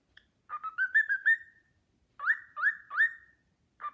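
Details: Cockatiel kept as a pet whistling a tune, the Sportpalast Waltz, admired by another cockatiel; a wavering rising phrase, a pause, then three clear upswept whistles and the start of another.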